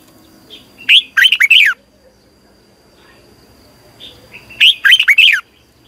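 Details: Red-whiskered bulbul in a morning competitive song, the long twisting double voice used as a lure for training birds. Two short bursts of rapid, rich warbling notes rise and fall, separated by about three seconds of quiet.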